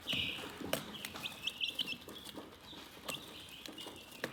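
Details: Soothing chicken chirping: a loud opening peep, then a run of quick high chirps and longer thin calls, broken by sharp clicks and taps.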